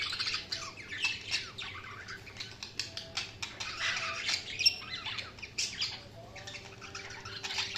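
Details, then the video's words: Continuous budgie chatter, a dense stream of rapid clicks, scratchy squawks and high warbled chirps tumbling over each other without a break. "Budgies Sounds| Budgies Chirping sound"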